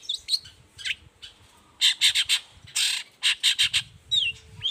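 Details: Morning song of a long-tailed shrike, sung vigorously to lure other shrikes into answering. Rough, noisy squawks come in short grouped bursts, with a few thin slurred whistles near the end over a low background rumble.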